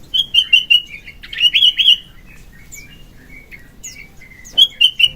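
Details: {'text': 'Morning song of a sooty-headed bulbul, recorded for luring and song training. Bright repeated whistled notes come in bursts, with a quieter stretch of scattered soft notes before a final series of loud whistles.'}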